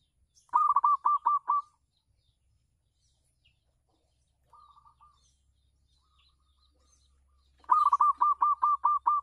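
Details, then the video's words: Terrace-kept zebra dove, local perkutut strain, singing to lure other doves: two loud bursts of rapid repeated cooing notes several seconds apart, a faint soft trill between them, and a steady low hum beneath. "perkutut lokal manggung di teras rumah bagus untuk pancingan"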